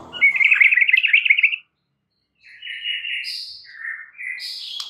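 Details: White-rumped shama training song meant to excite other shamas to sing: a long buzzy, quavering trill, a silent gap, then several steady buzzy whistled tones at shifting pitches.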